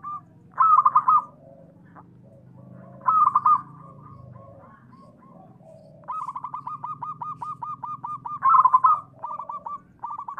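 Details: Local zebra dove singing actively, played as a lure to make other doves call back and to rouse silent or stressed birds; bursts of rapid, rolling mid-pitched coos, then a long steady train of short repeated notes and a final loud flurry.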